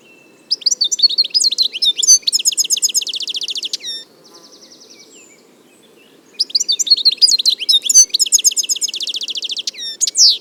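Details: A wild European goldfinch recorded in nature sings two bright, rapid bursts of tinkling twitters, trills and buzzy notes. A brief pause between them holds a soft rattling buzz and a faint low hum.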